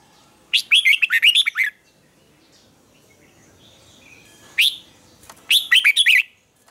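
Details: Red-whiskered bulbul's morning song for training birds: a rapid run of warbled notes, a long quiet pause with faint chirps, a single sharp note, then another fast warbling phrase.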